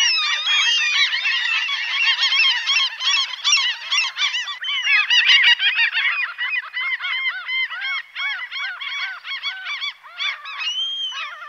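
Common gulls calling in a dense, overlapping chorus of high, squealing and mewing notes, several birds at once, with no pause through the clip.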